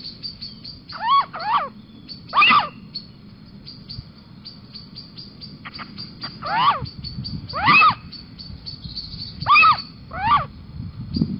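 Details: A little owl calls from a balcony at Sprundel on 6 March 2020, giving plaintive, mewing, downslurred 'kiew' notes, about seven in eleven seconds and some doubled, over a steady hiss and low rumble; Little owl.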